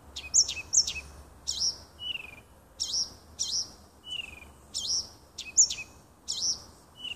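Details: A nightingale singing in a small wood near a home on 30 June 2015 gives short, varied bursts of sharp, high chipping notes and thin falling whistles, with brief pauses between phrases, over a faint low hum.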